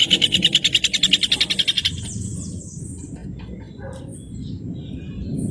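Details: A rufous hornero (Furnarius rufus) sings a loud, shrill run of about seventeen rapid notes in two seconds, then a thin high falling note over a low background rumble.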